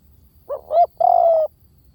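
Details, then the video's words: Spotted dove giving a clear decoy-style lure call, 'V18' style: two short hollow coos, the second swelling, then one longer, steady, slightly falling coo, all within about one second, against a quiet background. "เสียงนกเขาใหญ่!! เสียงต่อ! ชัดๆแบบ V18"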